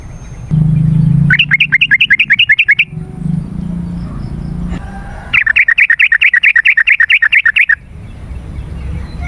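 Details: Lure song of a yellow-vented bulbul for drawing in wild birds and setting off silent caged ones. Two long bursts of rapid, evenly spaced chirps, about a dozen notes each, with a low hum between them.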